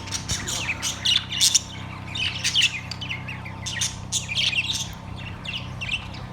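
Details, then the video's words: Caged budgerigars, Australian parrots, recorded September 3, 2023, giving bursts of harsh, buzzy chirps and squawks in short clusters separated by pauses, over a steady low hum. "Australian parrots birds chirping sounds"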